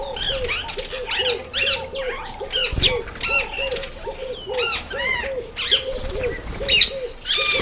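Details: Ten red-faced mousebirds, a sociable party, gather in a birdbath. High, arched whistled notes repeat in quick overlapping bursts, set over a steady series of low, rounded hooting notes from another bird, with faint background chatter.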